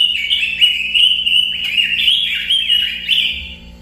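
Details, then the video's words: Robin song: a continuous stream of high whistled phrases, notes stepping up then gliding down, loud and unbroken throughout, over a quiet low hum. "kicau burung robin"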